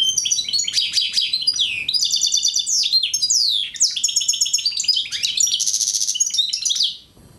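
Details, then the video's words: Singing Algerian goldfinch mule, a hybrid, recorded in 2009: rattling buzzy trills alternate with clear descending whistles and quick twitters in a steady, lively stream, ending abruptly in near silence. "Chant de mulet Algérien 2009"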